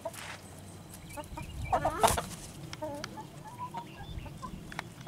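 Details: Chickens eating June bugs; soft, low clucks and short murmured notes repeat quickly and irregularly, with one louder squawk near the second second, over faint background noise.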